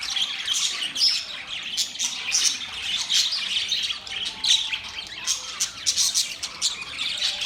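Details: Several budgerigars chatter together in mating sounds: a steady stream of high, rapid chirps, squeaky whistles and scratchy squawks overlapping without pause.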